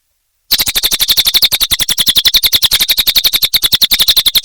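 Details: Cililin bird in full, energetic song (gacor): a fast, unbroken run of sharp, high chattering notes, about eight or nine each second, evenly spaced and loud throughout.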